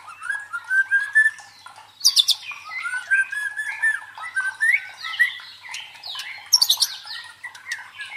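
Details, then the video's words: Provoking song of a white-rumped shama used to train fighting birds: a rising whistled run, then dense, rich, varied warbling with sharp high notes scattered throughout. "MELATIH MENTAL FIGHTER MURAI BATU DENGAN SUARA PANCINGAN INI"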